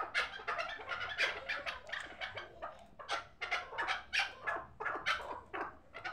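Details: Hybrid chukar partridge, a young bird from last year's hatch, kept for fighting and hunting, giving harsh, clipped chuck notes in a dense, uneven series of bursts, often paired, with steady low room hum beneath.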